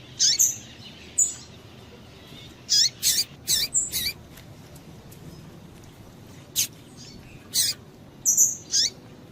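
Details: Female double-collared seedeater calling to stimulate males: short, sharp high chips given singly or in quick pairs at irregular intervals, with a steady low background hiss.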